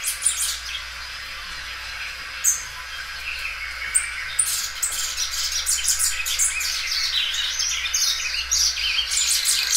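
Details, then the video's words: Belgian canary, a well-kept loud singer that stretches its song several times, delivering high chirps and short bright notes that build into denser, busier twittering toward the end. "canário belga dobrando o canto."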